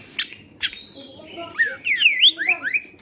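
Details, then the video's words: Cucak ijo (greater green leafbird) in lively song meant to draw out other birds: two sharp opening notes, then a quick sequence of rising and falling whistled slurs, varied and tumbling. "cucak ijo medium gacor cocok buat pancingan"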